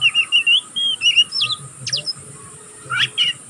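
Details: Oriental magpie-robin youngster, pastol type, learning its voice in continuous ngeriwik twittering: a rapid series of bright whistled notes and wavering slurs, a few sharp downstrokes, then a short gap and two final chirps; faint low hum beneath.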